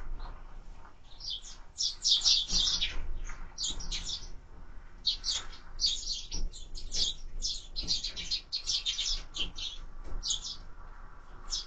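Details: Sparrows at a bird feeder seen on a bird camera, giving busy, repeated chirps about four per second in loose clusters, with a faint low background hum.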